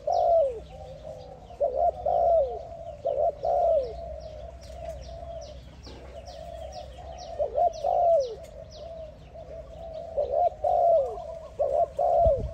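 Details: Spotted dove calling another dove in a long run of loud, low coos. Groups of short notes and falling drawn-out coos repeat over steady cooing, with constant high, thin chirps of small birds around it.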